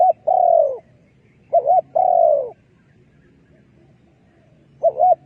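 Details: Spotted dove decoy call used for dove trapping: brief doubled note, then a long falling coo, the phrase repeated after a pause of about two seconds, with a quiet low hum beneath.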